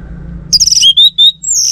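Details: Orange-headed thrush lure phrase meant to draw an answering male: very high, thin sliding whistles followed by a few longer, steady pure notes, all within about a second.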